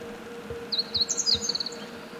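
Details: Meadow bunting singing: a quick high phrase of sharp, bright chirps and short trills that rises then tumbles down, lasting about a second, over a faint steady low hum.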